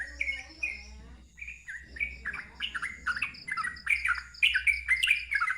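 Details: Loud ngeropel song of a sooty-headed bulbul with a wild-sounding voice. A few spaced, slurred notes open the phrase, then it thickens into fast, bright, bubbly chatter that grows louder toward the end.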